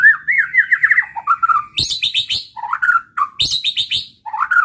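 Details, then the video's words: White-rumped shama singing to provoke rival birds: a quavering whistled run, dropping warbles, then sharp high chirps and fluting phrases alternating in quick, varied succession. "pancingan muraibatu gacor bikin murai lawan dengar AUTO EMOSI TINGGI |pancingan murai |shama bird"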